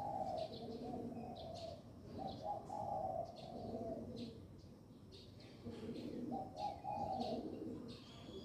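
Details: Dove cooing to welcome the new day of the year: low, soft, hollow coo phrases, each about a second long, rising and falling in a repeated pattern, with thin chirps from other birds above.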